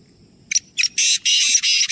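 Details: Black francolin, one of three birds, giving a harsh grating call: a short introductory note, then a series of loud buzzy, scratchy broadband notes delivered rapidly in about a second, with a low background hum.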